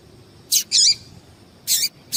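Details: A female yellow-bellied seedeater gives quick high chips to stir males for singing tournaments, a short note followed at once by a longer one, then another pair after about a second.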